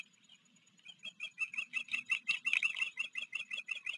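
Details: Osprey on a river nest camera in Maryland, a recently fledged chick from a neighboring nest visiting during a July afternoon; rapid series of high chirping whistles, about three per second, building in loudness and holding steady.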